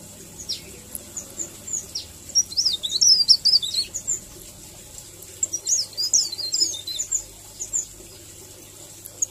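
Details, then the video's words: Melodious 'ngerol' song of a leaf warbler for masteran: two clusters of thin, high, jumbled twittering notes, softer and somewhat distant, with quiet gaps and a faint low hum. "Suara ngerol merdu Cikrak daun || Masteran Cikrak daun"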